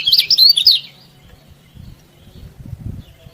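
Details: Yellow-bellied prinia singing, offered as a master recording to prompt sluggish birds to sing: a single high, fast twittering phrase lasting under a second, followed by quiet with only faint low rumbling.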